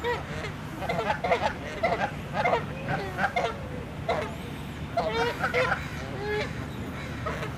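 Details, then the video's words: Several Canada geese arguing and fighting, charging at each other, honk loudly in harsh, overlapping angry bursts, some calls rising into a strained note, over a steady low rumble of background noise. "Canada Geese HONKING ANGRY Sounds"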